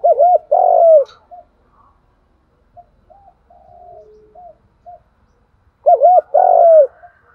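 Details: Spotted dove calling and urging for decoy-bird training: two clipped coos and a long falling coo at the start, faint quiet notes in between, then the same loud pattern returning near the end.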